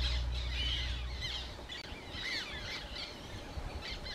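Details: Black terns at Łąka reservoir on 14 May 2021: several harsh, squeaky, down-slurred calls repeated rapidly by more than one bird, with a low hum at the start.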